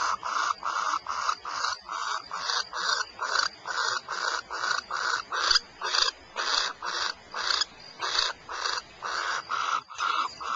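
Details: Repeated short hoarse hisses from barn owls at Starr Ranch, California, keep a fast steady pulse of just over two calls per second for ten seconds.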